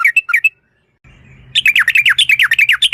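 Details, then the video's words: Yellow-vented bulbul, described as a female in full song. A few separate whistled chirps first, a quiet pause with low hum, then a fast series of loud, dropping, buzzy notes in a 'ropel' trill. "TRUCUK gacor UPLIK NGEPRUL pancingan trucuk agar BUNYI, jadikan burung trucukan BUNYI ROPEL"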